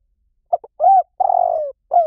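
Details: Spotted dove song of the 'Liw Tan' type, for luring and training doves to coo back. A clipped double note, a smooth rising-then-falling coo, a long rough note gliding lower and a final coo beginning at the end; nothing else audible.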